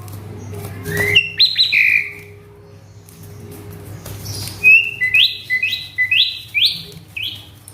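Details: Asian pied starling, an agitated caged male with a varied mimicked repertoire. A few slurred whistles, a pause, then a quick series of about six loud rising whistled notes. Faint low hum in the background.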